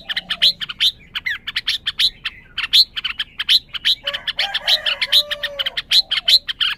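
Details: {'caption': 'Red-whiskered bulbul keeping up a dense stream of quick, piercing chirps, with a softer lower warbling passage in the second half.'}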